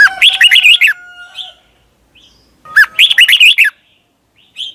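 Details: Red-whiskered bulbul song from Thailand, played so caged birds copy it: two lively whistled phrases of rising and dipping notes, each under a second, with softer short chirps between them.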